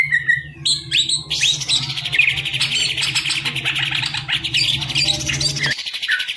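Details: Caged green leafbird, a hobby songbird prone to somersaulting, delivering a dense, loud, scratchy torrent of mixed whistles and buzzy trills, preceded by a few clipped notes, with a low hum that stops near the end.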